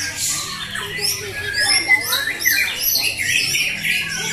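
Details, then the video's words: White-rumped shamas, fighter birds, competing at a bird contest at JBC Jatisari, Bekasi, on Friday 14 June 2024; several birds pour out overlapping loud whistled and chattering phrases, rising and falling quickly, with faint human voices underneath. "pertarungan murai batu fighter"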